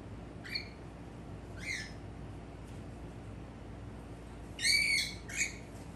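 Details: Pet male cockatiel of the normal grey form, calling to its reflection in a mirror; two short scratchy chirps early on, then after a pause a louder burst of two raspy squawks near the end.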